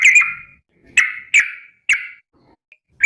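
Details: Yellow-vented bulbul calling to companions, uttering four short, slightly harsh whistled calls with sharp onsets, spaced irregularly over three seconds.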